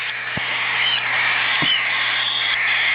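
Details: Twelve hungry hand-reared cockatiel chicks in the morning, waiting to be fed, give a steady, harsh, raspy begging chatter like white noise.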